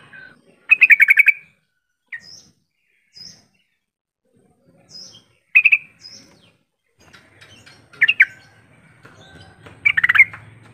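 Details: Calls of a yellow-vented bulbul, played to coax mute bulbuls into calling in reply: loud bursts of rapid, bubbly chirping with short single notes between them, spaced by quiet gaps of a few seconds, and a faint low hum near the end.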